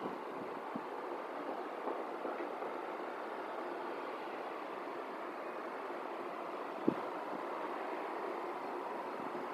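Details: Continuous low rumble of passing traffic with one faint knock, with no animal heard.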